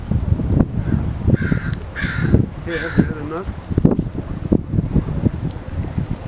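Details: Seabirds gathered on the Sausalito waterfront of San Francisco Bay in the winter herring season, waiting for a herring meal. Three harsh, nasal calls come in quick succession over strong wind and water noise.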